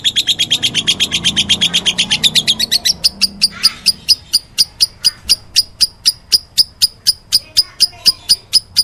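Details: Lovebird calling in the meloloh style: a fast run of shrill chirps, first blurred together, then sharpening after three seconds into crisp high ticks repeated about twice a second.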